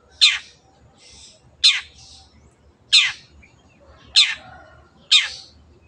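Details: Long-tailed shrike calling five loud, raspy, descending notes at steady intervals of just over a second, with faint murmuring between them.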